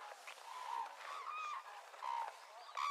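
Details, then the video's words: Red-crowned cranes give loud, honking trumpet notes, several overlapping over three seconds, with a sharper, higher call at the end. "Red Crowned Crane Sounds"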